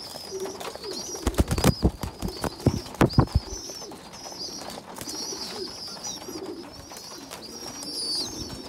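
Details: Pigeon youngsters fed by a smaller, weaker young pigeon; high, wavering whistled squeals throughout, interrupted early by a burst of loud thumping flaps, with low cooing notes.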